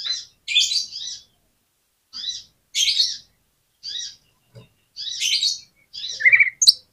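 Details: Oriental magpie-robin used to tempt a lazy bird into responding: brief harsh chattering phrases repeated at short gaps, with one clear whistled trill and a sharp click near the end.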